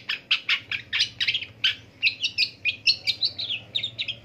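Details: In the morning, a long-tailed shrike gives a steady series of short, harsh, rasping notes, about three per second, rough at first and then slightly more tonal, over a faint low hum.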